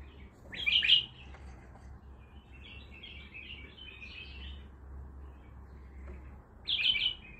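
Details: Baghdadi-type bulbul singing: a short bright warbled phrase near the start, softer chattering notes through the middle, then another loud warbled burst at the end, over a low steady hum.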